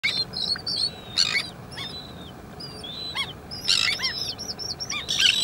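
Slender-billed gulls, adult and chick, give thin, high, arched whistles and peeps in quick overlapping bursts, with harsher bursts among them and a faint rural background.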